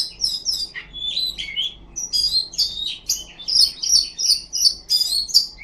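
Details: Ngipas-style song of a kacer, the Oriental magpie-robin: a fast, dense run of high chirps, trills and sliding whistles with hardly a pause, plus a faint low rhythmic thumping underneath.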